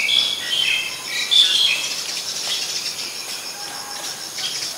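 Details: Black-collared Starling, Thailand's Ubon Ratchathani, 10 February 2023, with squeaky whistled and harsh chattering notes in the first two seconds, fading into steady insect background noise.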